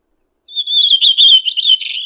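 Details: Red-throated thrush song phrase: a thin, high whistle swells into a wavering, warbled note lasting about a second and a half, clean with no other sounds.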